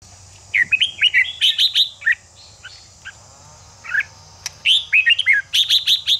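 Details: Red-whiskered bulbul song played to stir a caged bird into fighting song: two bursts of rapid, bright warbled phrases with sharp high notes, separated by a quieter pause, over a steady low hum.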